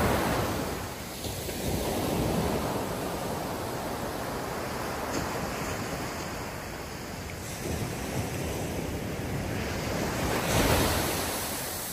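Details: Steady surf and wind noise roll through, with no animal calls standing out.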